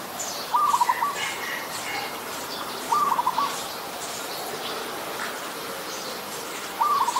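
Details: Zebra dove, adult, Ubon Ratchathani, Thailand, 28 December 2020: three quick, stuttering cooed trills spaced roughly three seconds apart, each a tight run of soft notes, with faint twittering of other birds in the background.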